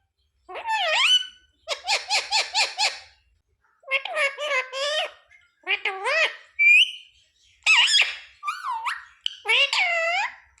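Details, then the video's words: Parrot talking indoors, mimicking sita-ram, jai shree ram, mummy and papa; a rapid series of repeated syllables, then varied warbling speech-like phrases and a short whistled note. "Parrot talking sita-ram🚩parrot talking jay shree ram🚩सीता-राम 🚩जय श्री राम🚩mummy papa bolane wala"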